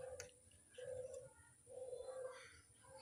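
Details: Barbary dove cooing used as a lure: three drawn-out, level coos spaced about a second apart, quiet beneath a steady high-pitched hiss, with a few faint ticks and clicks.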